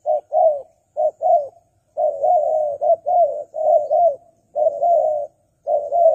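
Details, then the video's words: Spotted dove used to lure wild doves, giving mellow coos in pairs and longer drawn-out stretches, some notes merging into a sustained wavering coo. "Pikat Tekukur Burung Liar Kurang Galak"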